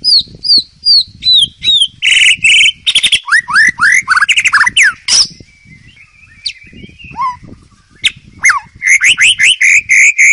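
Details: White-rumped shama in the wild, a master song for young birds: loud, rapid series of sweeping whistles and buzzy chattering phrases, a short quiet spell with thin notes, then more strong rising whistles, over constant low rumbling background noise.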